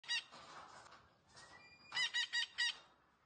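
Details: Green parrot vocalising: a brief harsh note, a faint steady whistle, then four rapid buzzy harmonic notes in quick succession near the end.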